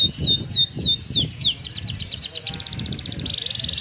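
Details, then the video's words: Canary in full, varied song: five high whistled notes sliding downward, then a fast run of bright chips and a dry buzzy rattle, over a low background rumble. "Suara Burung Kenari Gacor cengkok mewah"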